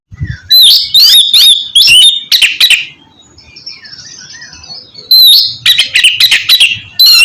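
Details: Oriental magpie-robin song played to coax a reluctant caged bird into singing: loud bursts of high, sweeping whistles and sharp chirps, a quieter pause midway, then another rapid run of bright notes.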